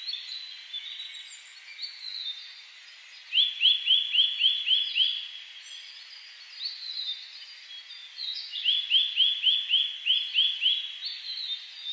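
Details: Eurasian nuthatch in Hakuba village, Nagano, Japan, recorded 1 May 2010: two rapid bursts of bright upslurred whistles, about four per second, one mid-clip and one near the end, with other faint bird notes and steady background hiss.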